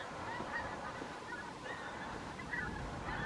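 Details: Pink-footed geese flying over a back garden: faint, high, short honking calls from several birds, scattered and overlapping across the clip, over a steady broadband background hiss.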